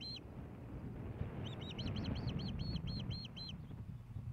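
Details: Nest camera in Hellgate Canyon near Missoula, Montana, 15 May 2016: an osprey at its nest as a fish is brought to the female. One chirp, a gap, then a run of about ten shrill arched whistles, above a low hum.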